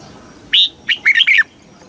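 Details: Caged red-whiskered bulbul, Thailand, singing one short southern master-style phrase for exciting birds and teaching young ones: a clear rising note followed by three quick warbled notes.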